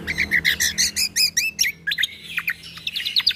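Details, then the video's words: Leafbird (cucak kombo) song in 'tembakan' style, a tutor recording for young white-rumped shamas: rapid series of bright, sharply downslurred whistled notes, about a dozen in quick succession, then a twittering stretch of higher chips and short trills. "MAsteran Cucak Kombo Ini Agar Punya Karakter Suara Tembakan"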